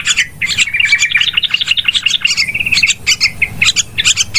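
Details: Noisy Yellow-vented bulbul call used as a trapping lure: a fast, busy stream of sharp chirps and gurgling notes running almost without pause, several voices seeming to overlap.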